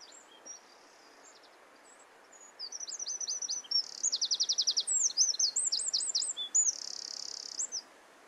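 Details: Wren singing: after a few faint high notes, a loud burst of very high, rapid twittering and trills, including a fast run of evenly repeated notes, over a quiet background.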